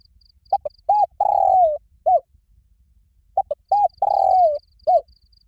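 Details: Loud, resonant fighting call of a spotted dove, luring wild birds. The phrase comes twice: two clipped coos, a hooting note, a long sagging coo and a final short coo. A thin high pulsing trill runs in the background.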